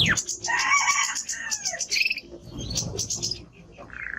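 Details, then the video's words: Male timbrado canary in strong song: dense rattling notes and rolling phrases, then a few swooping downward slides. The singing fades into quieter scattered notes. "Canary singing Strong Bird - ذكر كناري تغريد نار"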